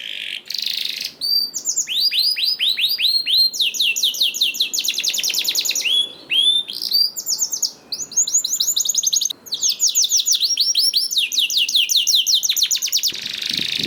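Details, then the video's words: Canary song played to prompt other canaries to sing: long rapid trills of rising, bright notes in fast repeated series, changing speed between phrases, with brief pauses; clear and loud throughout. "PANCINGAN KENARI 1 MENIT MENDENGARKAN SUARA KENARI DIJAMIN KENARI IKUT BUNYI"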